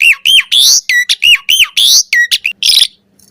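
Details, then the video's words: Asian pied starling in full varied song used to train birds: looping arched whistles alternating with harsh buzzy bursts, ending in a rasping chatter and silence. "Suara Jalak Suren Full Variasi Ocehan"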